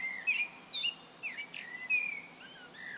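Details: Common blackbird solo song: mellow fluted phrases near mid pitch, each slurred and warbling, broken by short pauses and ending in thin higher twitters, over quiet steady background hiss.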